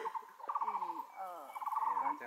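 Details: A grey treepie gives two quick bursts of harsh, nasal, rattling notes at mid pitch within about two seconds, recorded 12 March 2023 on section one of the Taipei Grand Trail, Taiwan.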